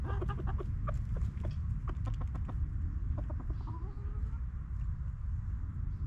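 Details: Backyard hens relaxing in their coop give a quick run of short, stacked clucks in the first half, then quieter scattered notes over a steady low rumble, with faint high chirps of small birds.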